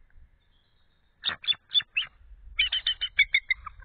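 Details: Nesting female eagle, off the egg at 12:12 am on 8 February 2013 after cooling it for about 25 minutes, gives four harsh, squealing notes, then a quick run of about nine high, chattering notes stepping slightly downward; her mate calls back.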